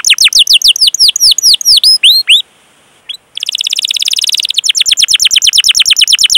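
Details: Gacor canary lure song for young, untrained or silent canaries: a series of looping swooped whistles, a short pause, then a dense fast buzzy roll followed by a slightly slower rapid trill.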